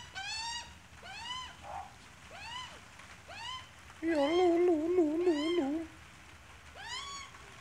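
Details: Australian magpie, adult with chick: regular arched harmonic calls repeated about every second, broken midway by a louder, lower, wavering warbled phrase lasting about two seconds, then arched calls resume.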